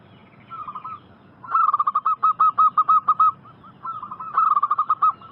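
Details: Lure recording of a local zebra dove, meant to make wild doves respond. A brief trill is followed by a long, even series of short, bright cooing notes, then another quick burst of notes.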